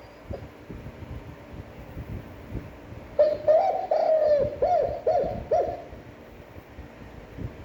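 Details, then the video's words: Spotted dove cooing in a standard voice for daily decoy training: an opening long coo with wavering pitch, then three quick short coos, each curving downward, set against low room noise. "Tiếng chim cu gáy chuẩn (kích bổi, hơi dài, giọng hấp dẫn, luyện bổi mỗi ngày)"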